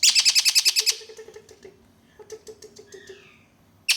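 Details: Noisy juvenile Malabar parakeets indoors: a burst of fast harsh chattering pulses, then softer rhythmic lower chirps fading out, with a new loud burst starting at the end.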